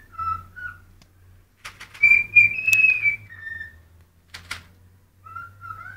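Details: Pet cockatiel singing when hungry: clear whistled notes, some rising and some held steady, in short phrases broken by pauses, with a low background hum and a few clicks.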